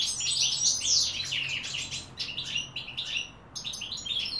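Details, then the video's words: Goldfinch song recorded in 2016, a lively stream of high, jingling chirps and rapid twitters, briefly dropping to near silence at the three-and-a-half-second mark before resuming. "Goldfinch - chardonneret singing 2016 / καρδερίνες"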